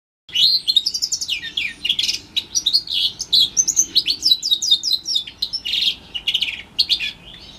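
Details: House finch x Timbrado canary hybrid (mule), orange/brown, about four months old, bred 2021, singing a fast, varied warble of chirps, trills and sweeping whistled notes, almost without pause after a brief silent start.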